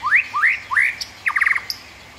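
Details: {'caption': 'White-rumped shama giving three loud upslurred whistles in quick succession, then a short rattling trill of five notes and a single high click.'}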